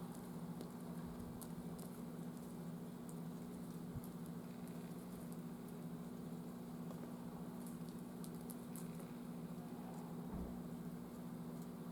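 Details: Steady low electrical hum and soft crackling patter, with a few faint clicks and taps, and no animal calls.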